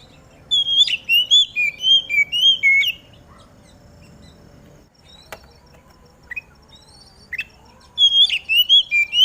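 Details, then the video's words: Oriental magpie-robin (kacer) singing in the morning dew, a song to spur other magpie-robins into song; one phrase of rapid sweet whistles, a quiet gap with faint chips, then a second whistled phrase beginning. "Burung Kacer Mana Yang Gak Bakal Ikut Gacor Ketika Dengar Suara Kacer Di Embun ini"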